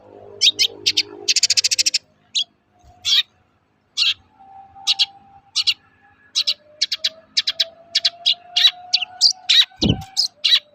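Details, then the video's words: Long-tailed shrike giving its characteristic toet-toet song, used to provoke other shrikes into singing: short high scratchy notes in irregular bursts with one fast rattling trill, over a steady low hum and a sharp thump near the end. "Suara burung cendet gacor toet-toet memancing emosi cendet bahan agar cepat gacor"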